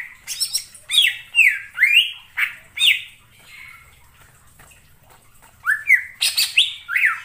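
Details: Cucak ijo lure sound for bird trapping: loud slurred whistles swooping up and down with harsh chattering bursts, a quiet gap in the middle, then another fast flurry of notes.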